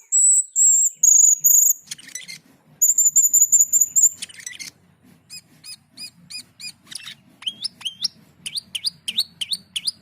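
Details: Asian pied starling song opening with long high pure whistles, then buzzy bursts, a row of short ticking notes and rising upslurred whistles repeated about twice a second.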